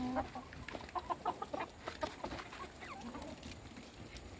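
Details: Several hens being fed by their owner, giving brief clipped clucks in quick uneven bursts early on, then softer scattered calls over low background noise.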